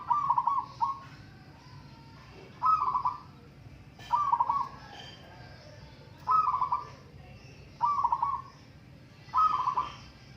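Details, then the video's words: Zebra dove song from a local singing contest, with rhythmic rolling coos repeated roughly every one and a half seconds. Each phrase is a short burst of quick trilled notes, and a steady low background hum runs underneath. "Burung perkutut lokal adu suara"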